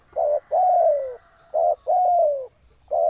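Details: Spotted dove in breeding condition, close and loud: quick repeated coos, a short flat note then a long gently descending coo, run together with hardly any pause.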